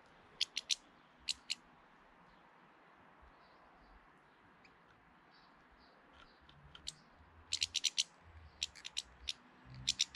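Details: A hefty European goldfinch filmed in early April, trying to intimidate another goldfinch: short, sharp, high tinkling notes, first in a few spaced pairs, then faster clusters of twittering notes toward the end, over a quiet background.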